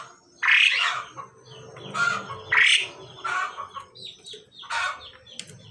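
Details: Harsh, hoarse squawks from a pied myna pair, male and female, being matched, repeated about every second amid scratchy chattering.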